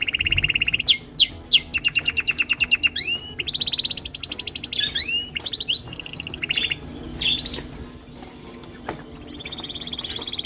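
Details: Male canaries singing to impress, each with his own song: quick runs of repeated notes, sweeping up-slurred whistles, rapid rattling trills and a long, even, high tour trailing off at the end, with a few chirps between phrases.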